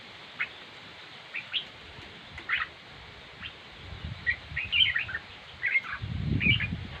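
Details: Red-whiskered bulbul with sparse single chirps that build into quicker, clearer warbled phrases toward the end, accompanied by low rumbling noise.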